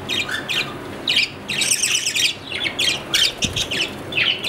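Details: Pet budgerigar, an Australian parrot kept in captivity, chattering in dense bursts of scratchy, squawking and chirping notes, repeated roughly once a second, over a constant low hum.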